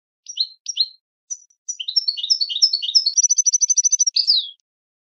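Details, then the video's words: A goldfinch sings a bright, high twittering song: paired chirps, then tumbling varied notes and a fast run of tinkling trills ending in a buzzy flourish. "Super Song To Teach And Listen To Goldfinches Birds"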